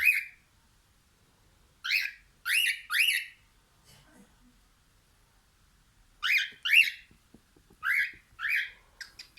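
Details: A pet cockatiel looking out the window sings loud, bright whistled calls in pairs and triplets, each note rising then falling, separated by brief silent gaps.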